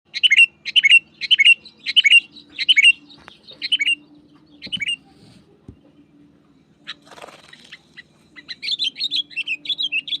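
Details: Sooty-headed bulbul, described as wild, singing loudly to press a rival: a run of about eight short chirps roughly every half second, a quiet stretch with a brief scratchy noise, then a fresh burst of quick chirps.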